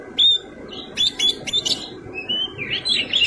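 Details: Short burst of white-rumped shama fighting song: a clear whistle, then rapid chattering notes and a rising, warbling run of high sweet tones.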